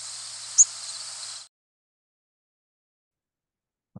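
A Yellow-rumped Warbler gives one very short, thin, high 'tsip' flight call over a steady hiss that stops soon after, then a faint low thump.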